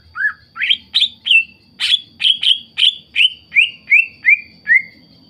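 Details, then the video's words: Greater green leafbird song used as a lure to provoke other leafbirds into singing: a run of about thirteen loud, rapid slurred whistles, rising then dropping in pitch, delivered at an even pace with a faint low hum beneath. "PANCINGAN CUCAK IJO GACOR, CUCAK IJO LAIN MESTI NYAUT DAN IKUTAN GACOR"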